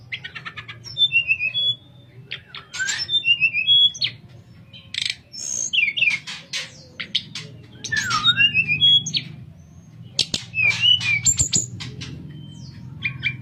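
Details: Nyuling-style song of a sooty-headed bulbul, kept as a master recording for teaching other birds; clusters of sharp chirps and bright whistled notes arrive in short bursts separated by brief pauses, over a steady low hum.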